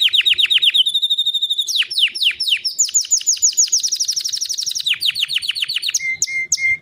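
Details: A white canary sings repeated falling chirps, a steady high trill, then long bright rolls of rapid notes, ending with short lower whistled notes.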